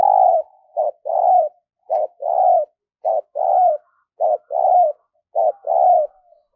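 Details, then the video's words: Spotted dove kept as a decoy for luring wild doves, giving its cooing song: low mellow coos in paired phrases, a short note followed by a longer one, repeated roughly every second and a half, against silence. "Luyện Giọng Chim Cu Gáy Mồi Mỗi Ngày"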